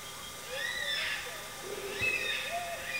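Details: Wild Yellow-tailed black cockatoos in the Blue Mountains National Park near Glenbrook, NSW, seen eating, give drawn-out wailing arched calls: two long plaintive notes rising and falling over a few seconds.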